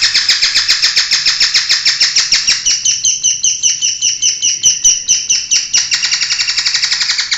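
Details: Competition-winning long-tailed shrike delivering a long rapid chatter of buzzy pulsed notes, slowing slightly midway then quickening again toward the end.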